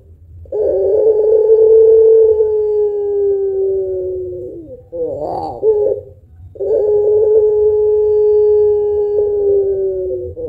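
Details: Puter pelung spotted dove with a thick deep ending, cooing long to stimulate other birds. Two extended level coos of about four seconds each, separated by a rough quivering warble.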